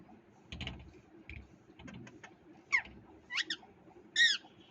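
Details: In India, a parrot makes soft clicks and chatter before three rising and falling screechy squawks, each louder than the last, over low background rumble.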